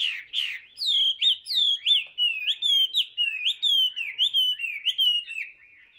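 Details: Tamed caged Chinese hwamei singing a lot: a steady stream of loud, clear, looping whistled phrases, each dipping and rising, repeated about twice a second for six seconds, in otherwise quiet surroundings.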